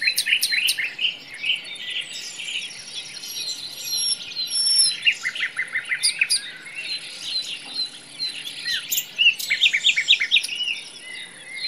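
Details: Common nightingale singing in a forest: loud, varied phrases of sharp chirps, quick trills and thin high whistles follow one another without pause, while other birds call faintly in the background.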